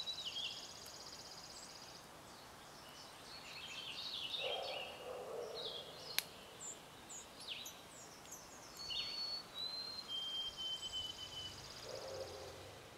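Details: Male? no—A White-throated Sparrow in a yard in New Brunswick, Canada, 13 May 2011, sings a few thin, pure whistled notes held high and stepping slightly down, over a busy chorus of other chirping birds and steady outdoor hiss.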